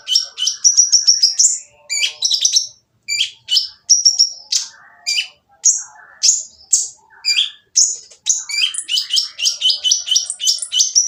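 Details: Oriental magpie-robin singing a harsh, noisy song to draw other magpie-robins into song: quick rattling bursts, single piercing whistled notes spaced about a second apart, then a rapid series of rising chirps at the end.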